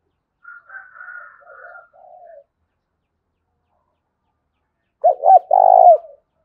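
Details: Spotted dove decoy call for luring wild birds: faint, higher, wavering notes first, then a long silence, then a loud burst of low, falling coos with one drawn-out, grainy note.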